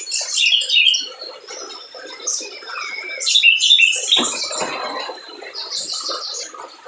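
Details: Spiderhunter in vigorous song, played to provoke birds that rarely sing: high thin chirps, squeaky slurred notes and short trills in uneven bursts over soft lower rustling.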